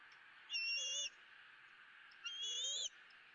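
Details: Eaglet E9 calling for food at its Southwest Florida nest, 06:54 on 2 April 2017, with mother and father in a dead tree nearby; two loud, drawn-out high whistles with a wavering, slightly rising pitch, separated by hiss.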